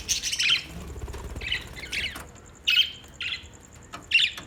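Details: Budgies calling with rough, scratchy squawks in irregular short bursts, about six notes with pauses, a faint steady high ticking in the background.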